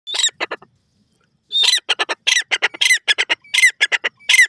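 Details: Partridge, known locally as teetar or Irani tetar, calling loudly: harsh, rhythmic bursts of grating notes that follow a short opening pair and a pause, then run rapidly for about three seconds.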